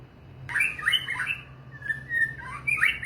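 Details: White-rumped shama (murai batu) song: after a brief quiet, a burst of rapid rich slurred notes, then a long level whistle and another fast warbled flourish, with a faint low background hum.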